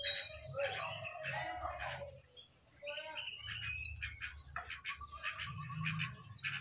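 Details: From on top of its cage, a jongkangan sings a rapid jumble of sharp, high chirps and clipped notes, ending in a steady, even rattle of quick repeated notes, over a low background hum.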